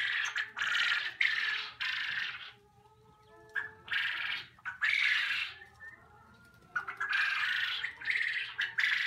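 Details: Several young quail vocalizing at a poultry unit: scratchy, broadband squawks in irregular groups with short whistled tones between them and brief quiet stretches.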